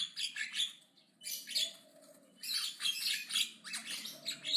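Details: Javan myna chattering aggressively and loudly: rough, grating bursts, each about a second long, come in quick succession with brief gaps, with a faint low hum beneath.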